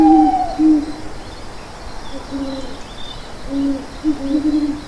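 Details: Owl giving low, mellow hoots in short uneven series, opening with a higher drawn-out note, over quiet background hiss.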